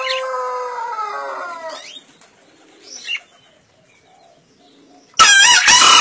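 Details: Green junglefowl from Kediri, caught in the forest and aged 1.5 years, 2016 contest entry. A steady tonal, harmonic sound opens the recording, then quiet follows, and a short, loud, grating crow bursts in at the very end.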